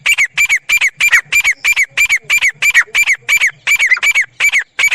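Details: Grey francolin pair calling: a loud, continuous chain of harsh, rasping notes, roughly three per second, steady and insistent with hardly a pause across the whole stretch.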